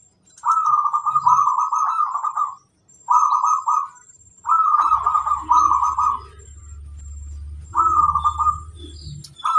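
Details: Singing zebra dove, a local bird whose song is used to train others, repeating long trilled coo phrases of rapid even notes, some lasting over two seconds, with short gaps and a faint low hum midway.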